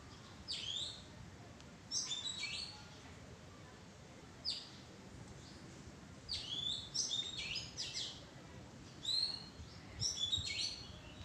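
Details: Oriental magpie-robin calling from a bower of mada trees: short, high, sweeping chirps in scattered bursts every few seconds, quiet against a steady outdoor background hiss.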